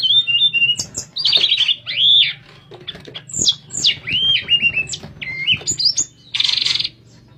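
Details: Flute-like 'nyuling' song of a sooty-headed bulbul, kept as masteran material for teaching other birds: loud, fast sequence of bright whistled phrases and rising slurs, broken by a few rasping bursts, with a steady low background hum.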